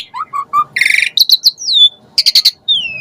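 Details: Asian pied starling song full of varied phrases, played so other starlings sing. Low whistled notes lead into a buzzy chatter, clipped high notes, and long gliding whistles falling in pitch.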